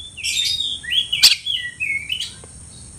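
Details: Oriental magpie-robin challenge call aimed at a rival: softer, drawn-out whistles that slide up and down, broken by one sharp click-like note, over a faint low background hum.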